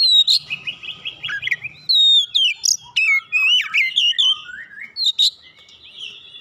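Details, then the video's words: Stimulation song of an Oriental magpie-robin. It opens with a quick trill of repeated notes, then gives long whistled glides, warbled slurs and bright sharp accents in lively succession. "hitungan detik merangsang Kacer malas bunyi langsung gacor"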